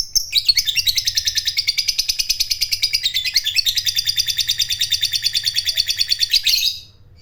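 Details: Fighter lovebird in full song giving its prized long 'ngekek' trill, used as a lure to stimulate other lovebirds: a dense, high, rapidly pulsed chatter held steadily for about six seconds before stopping abruptly.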